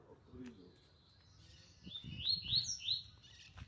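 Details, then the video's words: Three caged Double-collared Seedeaters placed facing each other for a singing session (campeada). A quick burst of high, sharp chirped notes comes in the second half, after low murmured talk and faint rustling. "CAMPEADA COM 3 COLEIRO PAPACAPIM"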